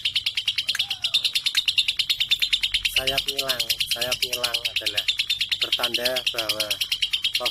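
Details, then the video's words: Lovebird aged 3.5 months, bold enough to sing against adults and suited as a tutor recording for other birds, gives fast, high, continuous chattering twitter repeated about three times a second; lower harmonic squeaky notes break in midway. "Lovebird 3.5 🌒 berani trek dengan dewasa dan Cocok buat masteran"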